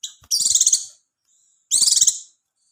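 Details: Two rapid, high trilled phrases of Oriental white-eye song, each about half a second of quick pulsed notes, used to stir breeding readiness and singing in other white-eyes. A faint thin whistle sits between them.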